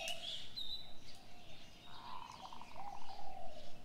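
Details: Early morning birds: a few high whistled chirps at the start, then a low burst of rapid pulsed notes and soft cooing that fill the second half.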